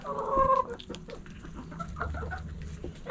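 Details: Backyard chickens, hens and roosters together; one short harmonic cluck-squawk opens, followed by softer scattered clucks and scratching over a low background hum.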